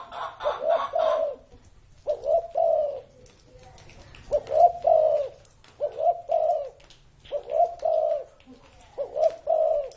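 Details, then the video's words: Spotted dove, an old bird said to be over thirty years old, cooing in low, hollow phrases. Each phrase has two or three rounded coos, with short pauses between phrase groups. The background is quiet. "CU GÁY CỤ hơn 30 năm tuổi"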